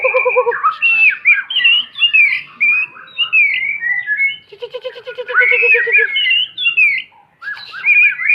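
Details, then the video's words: Song of a white-rumped shama meant for teaching young birds: melodious whistled phrases over two low, fast rattling trills, with scratchy interjections and a brief pause before renewed whistling. "panduan burung murai batu belajar bunyi"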